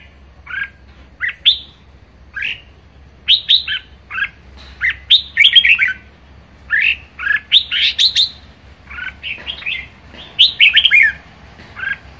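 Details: Red-whiskered bulbul kept at home, singing strongly in 'ché' style: short bubbly, chirping phrases of two to five notes delivered roughly every second over twelve seconds, close and clear.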